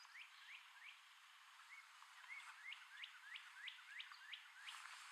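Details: A male red-headed woodpecker gives calls while caching food in tree holes. Short upward-sweeping chirps repeat steadily at around three per second, with a brief softer whistled pair in the middle.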